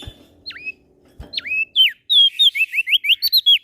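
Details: Prinia (prenjak daun) from Lombok, West Nusa Tenggara, singing steadily: two sharp down-swept whistled notes, then a fast run of bright chirping notes at about three per second, rising and falling in pitch.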